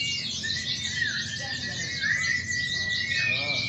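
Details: White-eyes (pleci) singing at a Sunday-morning training contest for pleci in Klaten, Indonesia, 28 June 2020: a dense, high twittering chorus of many birds overlaps continuously, with a thin steady whistled tone and low background rumble.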